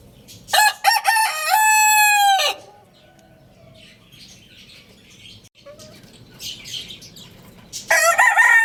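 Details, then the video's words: Morning crowing from a Lohmann Brown rooster: a stuttered start into a long, steady, strongly harmonic crow lasting about two seconds, then soft background clucks, and a second loud crow beginning near the end. "Roosters Crowing Compilation | Rooster Crowing Sound Effect | Good Morning"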